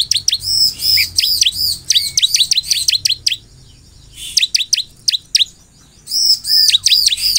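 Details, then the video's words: Persistent bar-winged prinia song intended to get other prinias replying: quick strings of shrill, looping chirps and sharp ticks in bursts of two to three seconds, with a short lull in the middle. "SEKALI PUTAR SUARA CIBLEK GACOR INI Di jamin semua CIBLEK Bakal langsung merespon"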